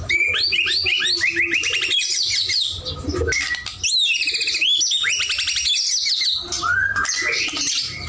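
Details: White-rumped shama in vigorous song (gacor): series of quick rising notes repeated in rapid runs, broken by sharp high whistles and slurs, the rapid runs returning several times; low hum beneath.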